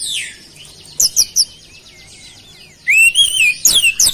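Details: Oriental magpie-robin in lively song carrying flowerpecker-style mimicry: a soft twittering passage, then brief sharp chips and a loud wavering whistled phrase followed by rapid high notes.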